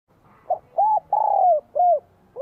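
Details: Vietnamese spotted dove singing energetically in spring 2023 to provoke wild doves, its voice bell-like: one clear phrase of mellow coos with a long falling centre note, and the next phrase just beginning at the end.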